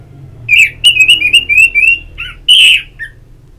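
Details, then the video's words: Ngeplong therapy song of an orange-headed thrush to encourage singing. A fast series of some nine clear, slightly rising notes, a brief pause, then a loud burry phrase and a single low note to close. "Pagi Siang Sore Terapi Ngeplong Untuk ANIS MERAH Malam ya Tidur Merangsang untuk Bunyi"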